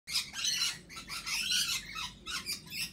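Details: Lorikeet giving harsh, raspy screeching squawks in four bursts of roughly half a second each, with short gaps between, in a small indoor space.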